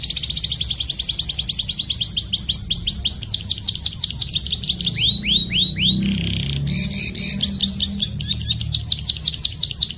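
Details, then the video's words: Canary song used as a master recording for training young canaries: long rolling trills, rapid repeated whistled notes sweeping downward, then buzzy and chattering phrases, high-pitched and continuous with a faint low hum beneath. "KENARI GACOR NGEROL PANJANG COCOK UNTUK MASTERAN SEGALA BAHAN KENARI"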